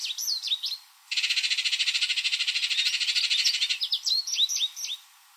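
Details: Baltimore oriole at a backyard where grape jelly is set out, with short whistled notes, then a rapid dry rattling chatter lasting about three seconds, followed by more clear whistled notes.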